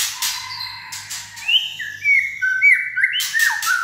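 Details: White-rumped shama described as having a sharp, steely voice, delivering clear sustained whistles and rising and falling fluty notes, mixed with bursts of broadband clicking and a faint low hum.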